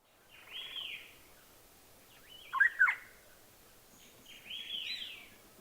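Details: Rusty-cheeked scimitar babbler (Pomatorhinus erythrogenys) in Himachal Pradesh, India, foraging in hill scrub, giving two harsh, rasping, mid-pitched bursts about four seconds apart, with a louder sharp double note between them.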